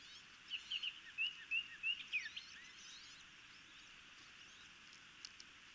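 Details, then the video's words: Osprey chicks at a Maryland nest by the Chesapeake Bay, 26 May 2018, during a feeding: a quick run of about seven thin, down-slurred whistled cheeps, then fainter chatter over steady background hiss. "Osprey Chicks Have a Good Feeding"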